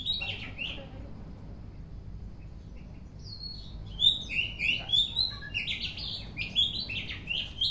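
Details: Oriental magpie-robin in the afternoon, starting with a few soft notes, then after a pause bursting into fast, varied whistled phrases with sliding and sharply peaked notes over a steady low background hum.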